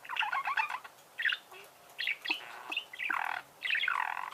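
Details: Budgerigars singing: bursts of rapid, buzzy chattering warble in six separate phrases, each under a second long, with short quiet gaps between them.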